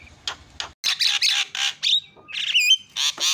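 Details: Javan myna calls used as a lure to make other mynas call: a series of loud, harsh, rasping squawks, with a brief thin whistle and a few clean high notes mixed in.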